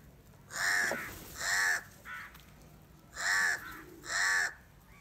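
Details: Crows from a very large flock gathering and fighting for salty food, giving four loud harsh caws with one short softer caw between them, each caw about a third of a second long.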